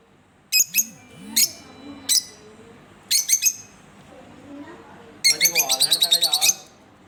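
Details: A green pair of pet Fischer's lovebirds utter spaced shrill chirps, some doubled, then a fast run of harsh chirps; faint lower murmuring sounds lie underneath.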